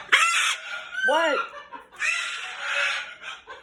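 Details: Indoor pet cockatoo screams after snatching its owner's glasses, and two other household birds join in: long grating, noisy shrieks of about half a second to a second, one arched honking note between, woman's calming voice beneath.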